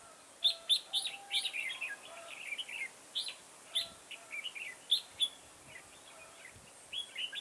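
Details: Decoy red-whiskered bulbul singing for trapping on 9 October 2017: loud, bright whistled phrases of several quick notes, repeated rapidly in bursts, with a few quieter gaps between them.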